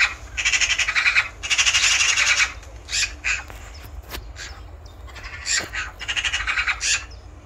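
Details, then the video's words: Eurasian magpie giving harsh, grating rattles in fast pulsed runs, two long bursts at first and then shorter rattling series, against low constant rumble. "Eurasian Magpie Call"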